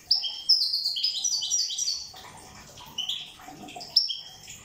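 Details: A European goldfinch from Corsica sings a rapid, tinkling jumble of high twittering notes and liquid trills, with bright bursts at the start and near the end.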